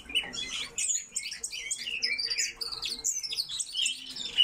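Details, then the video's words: Several coal tits in an aviary call with high, slurred chirps and thin whistled notes in quick overlapping bursts, over a faint steady hum. "Московка - Parus ater"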